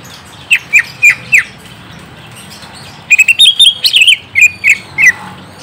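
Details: Greater green leafbird song used as a lure to get a young, newly kept leafbird to answer. Three short downslurred whistled chirps, a pause, then a rapid burst of sharp, varied whistles and trills rising and falling in pitch. Light background hiss.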